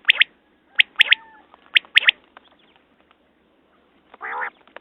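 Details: A quail gives bright, clipped notes in pairs and triplets roughly once a second, followed after a pause by a single harsh, rasping burst; quiet background with faint scattered clicks.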